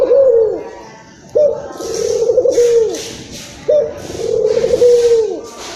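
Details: Excited local Barbary dove in Indonesia, played to attract other doves: three purring, rolling coos with falling tails, repeated about every two and a half seconds, alongside short bursts of hissing noise.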